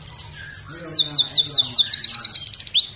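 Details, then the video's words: Energetic canary song from an aviary, meant as a training model for other birds: quick series of high, sharply downslurred notes repeated in rapid rolls, ending with a rising whistle. "Kenari gacor untuk masteran"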